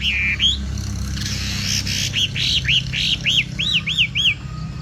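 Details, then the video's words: Loud, rain-like singing of a Chinese hwamei in the bộ tam hoàng style: a clear whistle, then a rapid series of bright, arched, ringing notes, roughly three or four per second, over a low rumble. "Hoạ Mi Bộ Tam Hoàng Giọng Hót Rả Rích Như Tiếng Mưa Nghe Thư Giãn/ Tiếng chim hoạ mi hót giọng hay"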